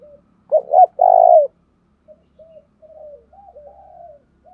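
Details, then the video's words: Spotted dove, a decoy bird, in thuc dau style calling: two brief throaty notes, then a strong sustained coo, followed by a run of soft low wavering coos. "tieng cu gay tho dong thuc dau thuc dau"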